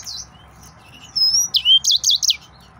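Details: Excited male yellow-fronted canary, known locally as the Mozambique jasmine canary, singing a short burst of high whistled and buzzy notes, a rising slur followed by fast trilled phrases, over a faint low background hum.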